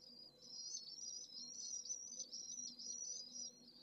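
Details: At a city-centre pallid swift nest in Jerez de la Frontera, with a single chick coping with 44°C midday heat on 25 August, soft but shrill rippling trills run in quick repeated phrases over faint low hum.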